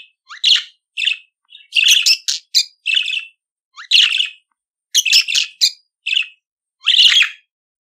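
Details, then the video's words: Chattering song of a pet budgerigar, used to train other budgies to sing: repeated scratchy, buzzy chirp clusters about every half second to second, some phrases longer and stacked, with a clean quiet background. "CANTO DO PERIQUITO AUSTRALIANO - Ensine Seu Periquito Cantar !"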